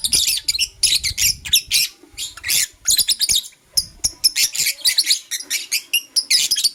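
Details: Morning song of a blue opaline lovebird: continuous shrill chirps and squawky notes tumbling in fast bursts, a short pause at about two seconds, then more rapid high twittering to the end.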